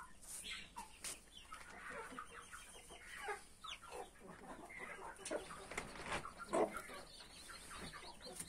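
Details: Mother hen with 31 newly hatched chicks: scattered soft clucks and thin chick peeps amid clicks and rustling.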